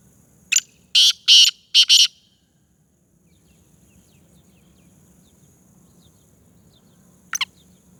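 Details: Black francolin (kala teetar) of the fast-calling Sindhi 'speeder' type: a grating phrase of one short note and three longer rasping notes over about two seconds, then a lone brief note after a pause, with faint low hum.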